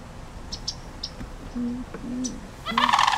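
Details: Sandhill cranes standing their ground against a threatening dog across the street give a few low, short croaks, then a loud, rolling, trumpeting alarm rattle; faint clicks in the background.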